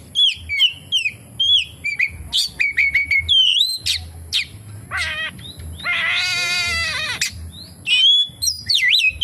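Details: Oriental magpie-robin giving song full of kapas tembak imitations, clear whistled slurs and chips, then a long nasal wavering harmonic phrase before more whistles.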